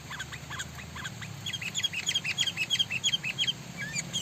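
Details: Sooty-headed bulbul in Sumatra, Indonesia, calling with rapid, evenly spaced bright chips, about three a second, that grow louder midway, with a constant low rumbling hum behind.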